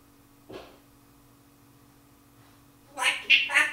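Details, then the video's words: A 19-month-old female Timneh African grey parrot mimics her favourite song, giving three quick, bright, voice-like phrases near the end after a soft breathy sound and near silence. "Timneh African Grey Parrot SEXY BITCH"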